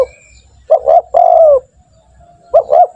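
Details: Vigorous spotted dove call for training doves to call fast: a double clipped coo, then a long, level-to-falling coo, then silence before another double note begins. The background is quiet.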